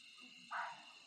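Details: A peacock gives one brief, loud, nasal cry at night near Rajaji National Park, Rishikesh, amid night insects, as barking deer call in alarm at a suspected tiger or leopard and a nightjar calls.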